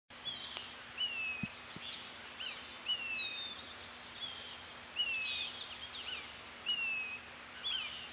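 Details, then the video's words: At Southwestern Research Station, Arizona, USA, a Say's phoebe gives plaintive, down-slurred whistled calls about every two seconds, each with thin, high accents, over a faint steady hum. "Calling Say's Phoebe"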